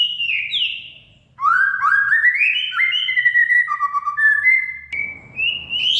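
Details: Oriental magpie-robin singing as a lure for a bird that has stopped singing: a high downslurred note, then a rising sequence of whistles, level tones and dropping notes ending in a climbing whistle.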